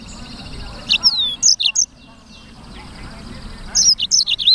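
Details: Black-throated canary singing vigorously: two bursts of high, sharp chirps and swept whistles, the second clustered near the end, with a faint low background hum between phrases.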